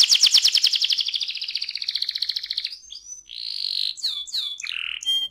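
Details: Canary delivering rolling ngerol song meant to set other canaries singing: a dense fast high trill slowing into a smooth roll, then a steady whistled tone and quick twisting slurred notes.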